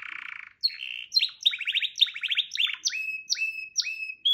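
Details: Canary song in quick varied tours: a buzzy opening trill, rapid rolling trills, then a series of evenly spaced rising and falling whistled notes, clear with no background sounds.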